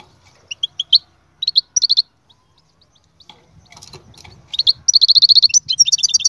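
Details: Goldfinch song in bursts: scattered twittering chirps, a short spell of low rumbling noise, then fast repeated trilled notes and paired high twitters.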